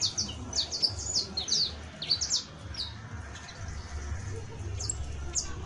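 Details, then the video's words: A juvenile saffron finch (Sicalis flaveola) sings a run of short, high, sharp chirps and slurred notes in quick bursts over a low background hum. "CANTO: CANARIO BASTO [SICALIS FLAVEOLA JUVENIL]"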